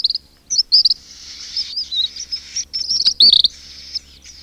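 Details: Blue-eyed shag (king cormorant, Leucocarbo atriceps) chicks in a colony, close up, give thin, high, wheezy whistles and chirps in quick, uneven bursts, almost without pause; no deep adult grunts stand out.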